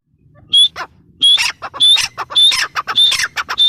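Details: After a brief quiet start, a grey francolin launches into repeated ringing phrases, a sharp high whistle each time leading into harsh clucking squawks.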